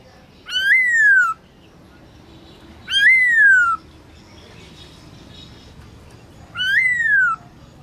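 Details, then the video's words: Black-throated laughingthrush, a kept bird, giving a midday training song: three loud whistled phrases, each rising briefly then gliding down, spaced about three seconds apart with faint background noise. "Khướu bạc má HÓT BUỔI TRƯA cực hay , Luyện khướu bạc má hót cả ngày, khướu bạc má hót giọng rừng"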